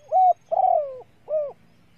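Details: Spotted dove female cooing to stimulate males as a lure: three mellow hooting notes, a short coo, a longer drawn coo sliding downward, then a final rounded coo, with a low background hum.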